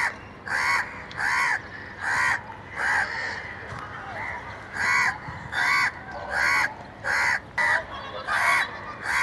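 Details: Crow calling naturally, loud harsh caws in short bursts of about half a second, repeated roughly every second and slightly irregular, over a steady background hiss.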